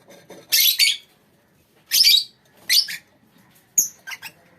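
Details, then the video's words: A lovebird colony gives broad, raspy squawks in bursts, followed by a few thinner, higher chirps at the end. Brief quiet spaces separate the bursts. "lovebirds colony"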